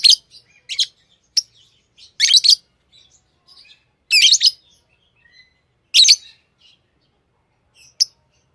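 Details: Tame lovebirds chirping irregularly: brief sharp notes mixed with louder harsh, buzzy bursts every one to two seconds, and faint twittering in between.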